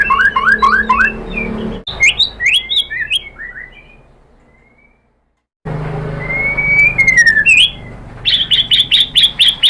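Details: White-rumped shama song for stimulating captive birds: fast tumbling whistled notes, a quiet gap, then a long sliding whistle and a rapid run of sharp repeated high notes.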